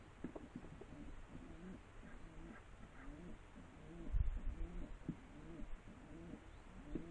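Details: Pigeon cooing: low, soft rolling coos repeated steadily about twice per second through the whole stretch, each a short throaty phrase, with a brief thump near the middle and faint background hiss.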